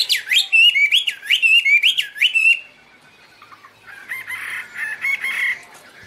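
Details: Chinese hwamei giving a series of five strong swooping whistles, each dipping then rising, followed by a pause and quieter, more distant warbled notes.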